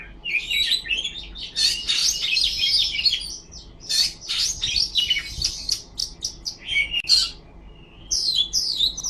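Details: Oriental magpie-robin, locally kacer, in tail-fanning song, a dense, energetic stream of harsh chirps, sharp clicks and high whistles with few pauses, ending in short scattered notes.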